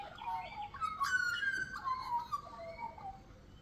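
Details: Australian magpie singing while perched at the top of a tree branch in the Victorian countryside, Australia: rich, flute-like warbling with gliding notes that rise and fall, tumbling together over about three seconds.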